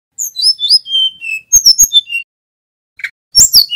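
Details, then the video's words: Male mountain flycatcher singing in a loud, sustained display, used to prompt other caught birds to learn. High thin whistles slide downward in quick succession, then a pause, a short buzzy note and a final burst of sharp high notes. "Burung SIKATAN GUNUNG Jantan FULL GACOR ‼️ Suara pancingan Tledekan BAKAU Jongkangan SRDC agar EMOSI"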